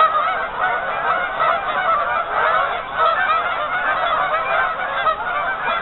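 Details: Dense, unbroken honking and gabbling rises from a crowd of geese resting on a lake partly covered with ice.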